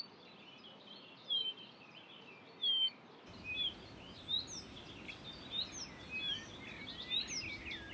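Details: Blyth's reed warbler singing at Far Ings Nature Reserve, UK, on 11 June 2020, high varied whistles and slurred notes, spaced then quickening, over steady hiss; a mimic of Redstart, Chiffchaff, Greenfinch, Chaffinch, Bee-eater and Quail.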